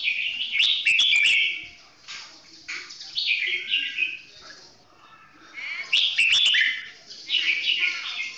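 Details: Red-whiskered bulbul, its golden-voiced song delivered slowly and clearly: repeated bright, bubbling whistled phrases with quick chattering notes, alternating loud bursts and softer pauses.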